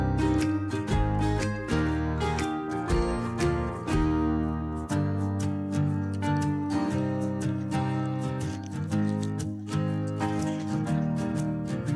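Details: Strummed acoustic guitar music plays throughout with no animal sounds.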